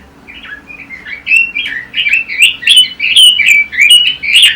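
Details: Red-billed leiothrix song used to tutor caged songbirds for competition: quiet scattered notes swell after a second into loud, rolling, slurred warbles strung closely together, with a faint background hum.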